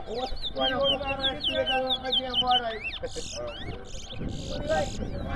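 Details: Caged chestnut-bellied seed finch (towa towa) singing in round one of a two-bird singing competition at Rosignol, Berbice, Guyana: rapid run of sweet warbled, slurred whistles for about three seconds, under loud men's voices counting and talking.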